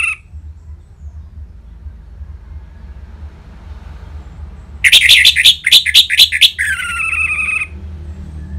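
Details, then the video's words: Caged orange-headed thrush singing ngeplong, used to spur other birds: after a quiet, humming stretch, a burst of about eight rapid, sharp notes, then a sustained whistled note. "ANIS MERAH Ngeplong Mantap Pancingan Burung Langsung Nyaut Gacor"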